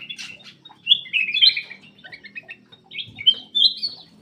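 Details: Black-crested bulbul singing vigorously, played to get silent birds singing; rapid slurred chattering phrases over a low humming background noise.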